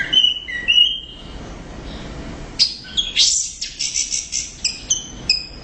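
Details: Orange-headed thrush singing loudly: a few lower whistled notes, a pause, then a fast burst of high chattering and repeated sharp notes roughly twice per second, with light background hiss.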